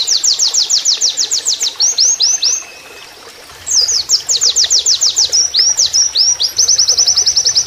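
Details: Oriental white-eye in canary-like master song with flowing water behind: loud rapid series of high, sweeping, repeated notes in fast trills, a brief silence, then more quick rolling trills.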